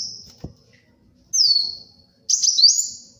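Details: Short burst of gacor sunbird song for luring and tutoring: one long thin whistle sliding down, then a buzzy, wavering phrase ending on a high level note, after a faint click.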